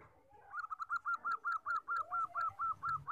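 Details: Common zebra dove with 14 tail feathers, for trapping lures and training: a steady series of clear, slightly arched coos, roughly four per second, over a low muffled background rumble.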